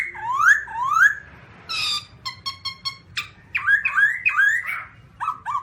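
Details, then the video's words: Looping upslurred whistles from a black-throated laughingthrush, followed by a noisy buzzy burst, a run of short clipped notes, a sharp downslur, then fluid rising whistled phrases and a few short ending notes. "Birds Black-throated laughingthrush (Garrulax chinensis): Funny Sounds And Funny Dances"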